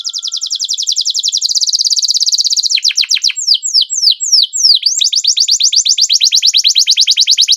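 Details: Canary singing a long roll: a short low whistle, then a rapid high trill, a run of sharp downslurred notes, and another fast even trill to the end.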